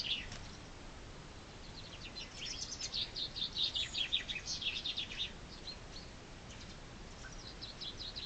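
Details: A chaffinch sings in spring, a single high, energetic phrase of rapid chirping notes lasting about three seconds with a falling finish, a softer distant phrase near the end, gentle hiss throughout.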